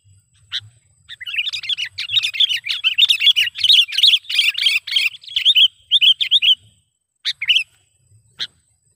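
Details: Sooty-headed bulbul lure call for trapping: a long, loud, excited run of rapid chattering and bubbling chirps, broken into bursts, then a few separate sharp notes; a faint high hum runs in the background.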